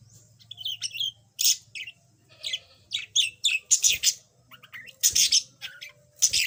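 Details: Kept yellow budgerigar, once silent and now beginning to chatter, pouring out a busy run of harsh chirps, clicks and squeaky warbled notes in quick groups, with a faint low hum behind.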